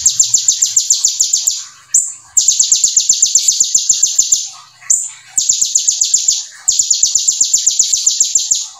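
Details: Gacor konin (brown-throated sunbird) delivering brem ciblek material in full nembak style: repeated long runs of fast, shrill, evenly spaced chips, interrupted by short gaps with single slurred whistle notes.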